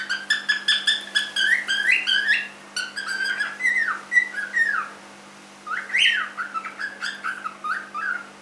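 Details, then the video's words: Pet cockatiel, three months old, whistling a lively sequence: rapid repeated harmonic chirps, then a series of clear falling whistled notes, a brief pause, and more rising and falling whistles, loud and continuous for about eight seconds. "My cockatiel - Fish 3 months old"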